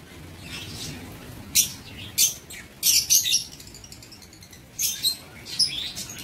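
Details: Caged lovebirds in an aviary on 19 September 2023 give scattered, sharp, high chirps, singly and in pairs, over a faint steady background hiss.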